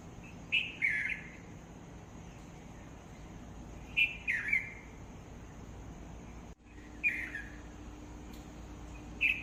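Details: Bird phrases ring out at about four-second intervals, each a sharp high note dropping into a brief, downward-slurred warble, with a faint hum and a short break in the background noise.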